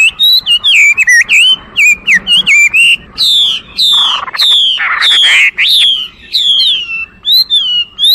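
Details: A Chinese hwamei sings a rich, varied series of loud whistles. Quick upslurred and downslurred notes are repeated in short runs, with a few harsher buzzy notes in the middle and long sweeping whistles at the end.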